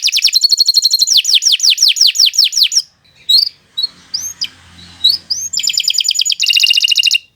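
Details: Long canary song for training other birds, opening with rolling trills and a series of descending slurred notes, then a quiet gap with a few upslurred whistles before fast high trills resume.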